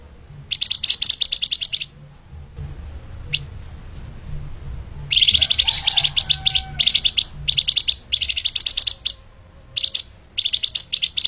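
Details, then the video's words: Tutor recording of a flamboyan bird for teaching other songbirds, soft 'lemahan' style at tight speed: rapid runs of shrill, evenly spaced chip notes in long bursts, broken by brief gaps, with a faint low background hum. "MASTERAN BURUNG FLAMBOYAN/LEMAHAN SPEED RAPAT"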